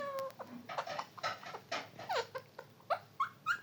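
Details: Parrot chattering indoors in a rapid string of short, varied harmonic syllables. Some syllables sweep up and others sweep down, at about three per second, with a sustained tonal note at the start.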